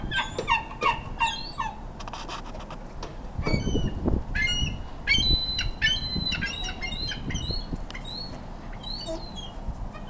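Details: Ring-billed and Iceland gulls crowding in a feeding frenzy, fighting over food. Clusters of harsh, stacked squealing calls come in quick bursts, several birds at once, with low thuds and rumbles between them.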